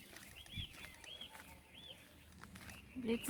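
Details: Arched, clear whistled notes from birds at Hac Sa, Macau, repeated roughly every half second against a quiet hiss, with a short spoken sound at the very end.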